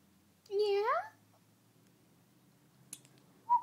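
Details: A male pet cockatiel whistles a clear, sliding phrase of the Addams Family theme, rising and falling over about half a second.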